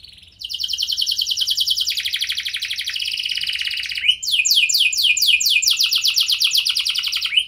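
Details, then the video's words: Canary singing to draw replies from other canaries, a sustained buzzy rolling trill giving way to a rapid series of crisp downward-sweeping notes repeated about twice per second. "Kenari Lain Langsung Respon Dengan Pancingan Kenari Gacor"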